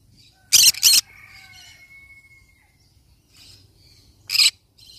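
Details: Two loud, scratchy screeches in quick succession from a yellow-sided conure parrot, then soft chattering and a thin sustained whistle-like tone, ending with one more harsh squawk.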